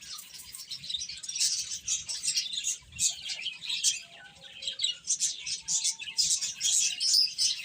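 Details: Chicks eating and playing, repeated high peeps at roughly two per second in an uneven flock chorus, growing louder toward the end, with faint short tones and a low hum underneath.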